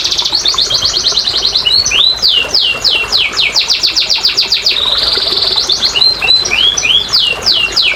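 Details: Canary song meant to stimulate reluctant canaries: quick trills alternate with long runs of steep downward-sliding whistles, a brief buzzy roll, then looping rising and falling notes.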